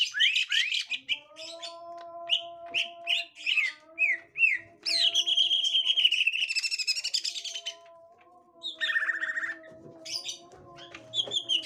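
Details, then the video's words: Green leafbird, gotri type, behaving on finding a young wild green leafbird: rapid varied chirps, then a long dense warbling trill, later lower chattering notes, with steady faint tonal humming underneath. "Tingkah Cucak Ijo Gotri Saat Di Temukan Cucak Ijo Muda Hutan"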